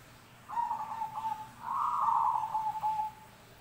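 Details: Zebra dove cooing: a purring, warbled phrase at mid pitch, a short rolling segment followed by a longer, louder trilled coo lasting about a second and a half, then a fading tail, over quiet background hum.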